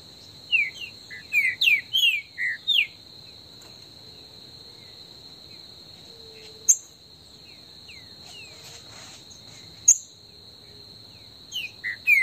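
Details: Green-winged saltator singing in the woods as a warm-up: a quick run of bright, downward-slurred whistles, then scattered single notes over a steady high insect drone.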